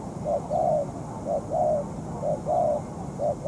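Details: Spotted dove used as a ground decoy in trapping, still moulting, facing a tough wild bird for over two hours. Paired cooing notes, a short coo then a longer one, repeat steadily about once a second over low background rumble.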